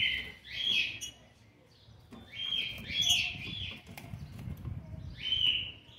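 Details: Seven-month-old green-winged saltator, recorded 13 November 2020, gives three rich whistled phrases, each rising then falling, roughly two seconds apart over a low background hum.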